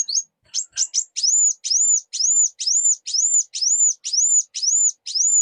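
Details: Brown-throated sunbird giving a few scratchy chips, followed by a steady string of arched, high-pitched whistled notes, each rising then falling, about two per second.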